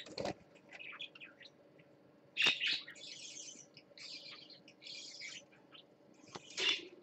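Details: Parakeet chattering on swings, live-streamed 20 December 2014: high scratchy warbles and brief chirps in quick bursts, with a few sharp clicks at the start, middle and end.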